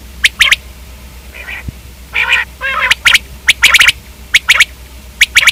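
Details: Common quail calls: bright clipped notes in pairs and triplets, broken by a couple of harsher, nasal squawking bursts in the middle.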